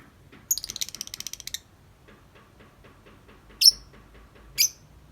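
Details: Tame lovebird singing its long 'ngetik' chatter outside the cage: a fast dry rattling trill lasting about one second, then two sharp separate high chirps after a pause.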